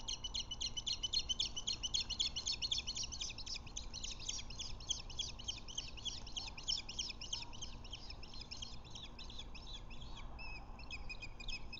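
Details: Ospreys at a nest on Lake Murray on 21 February 2024 around 1:03 pm, as the male brings a fish to the female: a long, rapid, continuous series of high thin chirping whistles over steady low background hiss.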